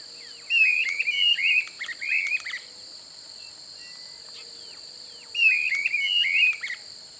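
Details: Streamer-tailed tyrant at Pousada Aguapé, Aquidauana, Mato Grosso do Sul, Brazil, in open marshy habitat, gives harsh, chattering phrases of several quick notes in two bursts over steady high insect buzzing.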